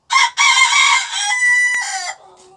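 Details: Sebright rooster crowing loudly and close, a harsh harmonic-rich cock-a-doodle-doo lasting about two seconds, rough and broken at first, then a steadier drawn-out tone that fades away.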